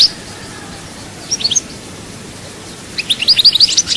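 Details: European goldfinch at Souk Ahras, Algeria, with sparse high chirps early, then a fast run of tinkling, trilled twitters toward the end after a long quiet gap.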